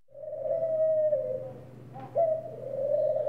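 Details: A single long, soft, even coo from a ring dove, then a sharp clipped note that opens the next drawn-out coo. A faint steady hum sits underneath.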